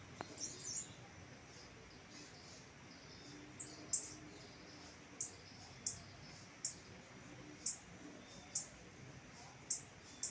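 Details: Blue-black grassquit, a tiziu, singing; very high, short buzzy notes repeated about every second over steady background hiss.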